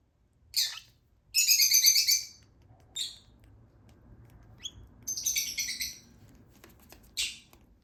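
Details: Hand-fed lutino Fischer's lovebird chick begging in short bursts of shrill, raspy chirping, each lasting under a second, separated by quiet pauses, with soft handling noise underneath.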